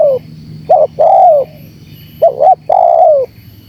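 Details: Spotted dove, energetic 'gacor' calling used for luring wild birds. Paired short hoots precede a long mellow coo that slides downward, repeated twice over a quiet, humming background.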